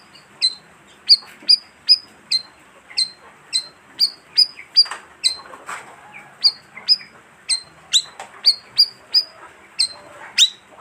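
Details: Lure call of the bayeman, a bird forming colonies of 15 to 20: a long, steady series of more than twenty sharp, high chirps roughly every half second, with some fainter calls behind.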